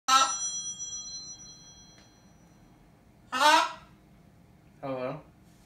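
A bright, ringing ding like a phone bell fades out, then a blue-and-gold macaw gives two short, voiced, speech-like words, the first rising and hoarse.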